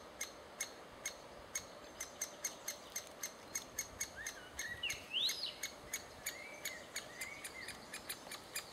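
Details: Great spotted woodpecker adults feeding chicks, June 2011; short sharp notes repeated roughly every third of a second, with another bird's brief whistled phrases midway.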